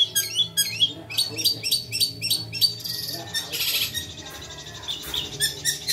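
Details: Long-tailed shrike singing energetically, a run of quick repeated high chirps and ticks early on, then harsher buzzy, rasping bursts and scattered notes over a faint low hum.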